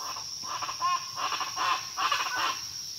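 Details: Chachalaca, locally pava guacharaca, giving three loud grating phrases of rapid harsh notes, each about half a second long, against a continuous shrill insect hum.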